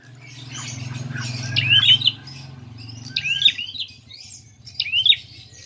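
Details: Prinia fighting call used as a lure to provoke other birds: bursts of sharp, rising chirps and short upslurred notes high in pitch, coming in three clusters, over a steady low hum.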